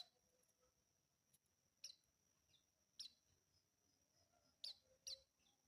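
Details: Juvenile white-eye calling: short high sharp chirps at irregular intervals, five notes over about six seconds, over a steady high background tone and low hum.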